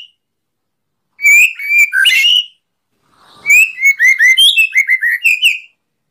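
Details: White-rumped shama giving a 'kretekan' style song full of 'tembakan' bursts, used to provoke other birds, recorded 24 January 2023: two loud bursts of sharp whistled and chattering notes, the second a quick run of slurred, ringing phrases, over silence.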